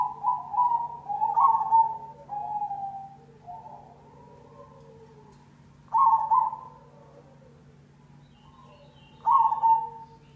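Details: Zebra dove of the cemani variety singing a lure song: a run of rolling, wavering coos in the first few seconds, then two separate loud coo bursts about three seconds apart, with soft lower notes between, over a low constant hum.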